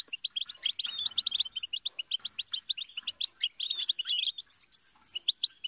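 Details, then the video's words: Continuous sparkling twitter from a European goldfinch, rapid chips and trills with high thin whistled notes toward the end. "Best guide for teaching and motivating songbirds - Goldfinch"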